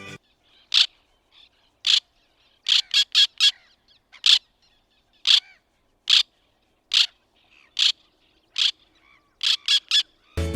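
White-winged Tern giving short, harsh, rasping calls at an uneven pace, sometimes in quick bursts of two or three, ending with a brief loud thump.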